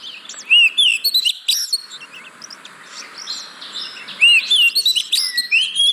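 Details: Oriental magpie-robin song used as a lure to coax reluctant birds into singing: two bursts of bright whistled and chattering high notes, separated by a quieter stretch over a steady low hiss.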